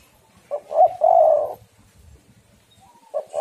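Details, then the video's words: Female spotted dove calling to lure and stimulate males into calling. A low, rounded coo, then a longer, louder purring coo, and a fresh coo begins at the end. The background is otherwise quiet. "tekukur super gacor suara betina yang sedang sange"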